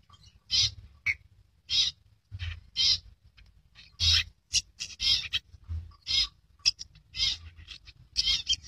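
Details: Red-eyed albino long-tailed shrike, described as rare, uttering scratchy grating bursts roughly once a second, some doubled or tripled in quick succession, irregular in rhythm, over a low background hum.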